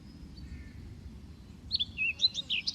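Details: Young white-eye feeding greedily. After a quiet start, a quick burst of clear high chirps and slurred squeaks fills the final second over low rumble.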